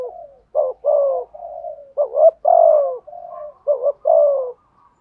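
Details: Decoy spotted dove with a 'thổ' style voice, cooing in the urging 'thúc gù' manner: clipped hollow coos alternating with longer downward-sliding notes, about two phrases over five seconds, no other sounds.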